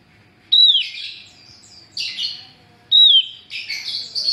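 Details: Female Javan grey-throated white-eye calling to attract males, repeating a bright downslurred whistle that runs into a rough buzzy chatter, twice about 2.5 seconds apart.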